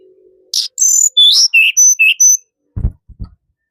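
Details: Tledekan gunung song: a rapid string of sharp, high whistled notes that jump between pitches, some thin and piercing, some lower and slurred. A few dull low knocks follow after the phrase ends.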